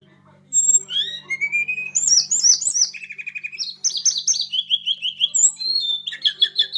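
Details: A blood-breasted flowerpecker sings a rapid, varied run of high, thin whistles. Rising slurs lead into fast repeated chirping trills and buzzy note series, nearly continuous over almost seven seconds, over a low steady electrical hum.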